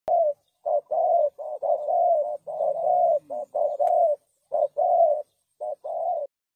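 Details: Spotted dove calling clean for luring doves into traps: low, hollow coos in short bursts about once a second, some drawn out and some clipped, over a quiet background.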